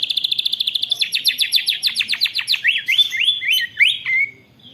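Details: White-rumped shama singing a long rolling song filled with canary imitation, recorded on a phone: a fast even run of sharp high chips, then buzzy rising-falling trilled notes and slurred whistles, loud and clear.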